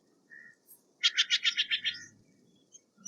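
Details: Steller's jay delivering a fast string of about eight coarse, rasping notes at roughly seven per second, falling off toward the end; a brief soft whistle before it and quiet high ticks afterward.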